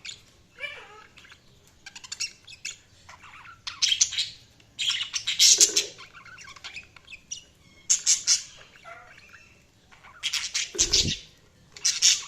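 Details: Pet budgerigars chirping loudly in clustered bursts of harsh squawks and buzzy chatter, interspersed with softer warbled whistles and a brief low thud.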